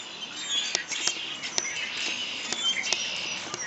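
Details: Many birds chirping together in a dense chorus, high bright twitters and sharp clicks overlapping continuously, several crisp notes standing out above a steady hiss of calls.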